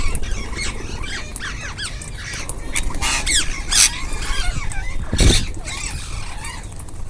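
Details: A group of rose-ringed parakeets, also called ringneck parrots, while eating: many overlapping curved, squeaky chattering calls, with loud rustling bursts and steady low background noise.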